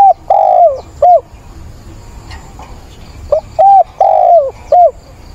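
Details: Spotted dove kept as a caged decoy, calling to find a mate on 17 September. Two strong, deep cooing phrases come about three seconds apart, each built from a short note, a long drawn coo that sags at the end, and a short final coo.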